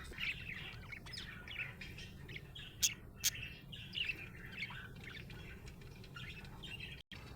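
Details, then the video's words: Happy budgie chirping in short bursts of bright, rapid twittering notes, with a few sharp clicks near the middle and a low background hum. "Happy budgie chirping sound"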